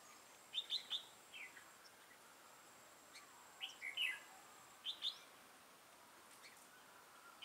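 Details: Trapping decoy red-whiskered bulbul with a dark bib and lân crest gives spaced clusters of sweet chirped notes every second or two, quiet and distant, over a steady faint background.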